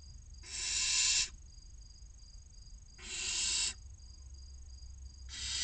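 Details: Six barn owl chicks, aged 16 to 29 days, waiting for food inside a nest box in Cabañeros National Park, Castilla-La Mancha, Spain: three long, harsh, hissing screeches, each about a second, spaced roughly two and a half seconds apart, with faint low hum.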